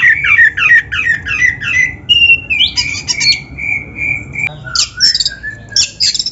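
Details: Oriental magpie-robin (kacer) song played to coax captive birds into singing; a quick series of repeated descending whistled notes, then a long level whistle, followed by sharp high chips and slurs.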